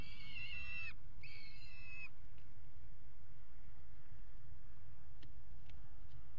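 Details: Peregrine falcon mating on the nest box ledge of a water tower in Axel, Netherlands, 5 February 2018: two harsh, wailing calls early on, then quiet with faint ticks over low background hum.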